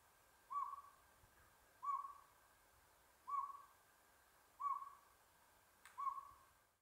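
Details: Northern pygmy owl at Buckhorn Campground in the San Gabriel Mountains, Los Angeles, recorded 7 April 2022: five short, clear tooting hoots at steady pitch, spaced about every 1.3 seconds, over a quiet background with a faint click near the end.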